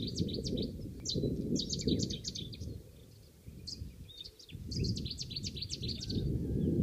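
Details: On Lesvos, Greece, during spring migration 2015, displaying Cetti's warblers burst out in loud, sharp chip-and-chatter phrases, a few times in quick succession, over a steady low rumble of wind or distant noise.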